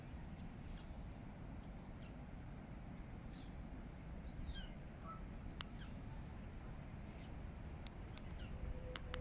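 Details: Eurasian coots with chicks at Regent's Park, London, July 2024: thin, high, down-curving peeps repeated roughly every second in a steady series, with a few sharp clicks and a constant low traffic-like rumble beneath.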